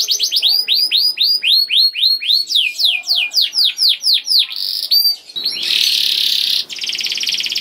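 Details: Young canary, used as a lure to make other canaries sing: repeated loud downslurred whistles about four per second, a short roll, then a long buzzy roll and a pulsed trill.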